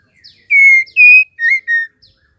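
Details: Female white-rumped shama giving a call that pushes males to sing: four loud whistled notes, one long and level, one slightly higher, then a short dipping note and a final falling whistle.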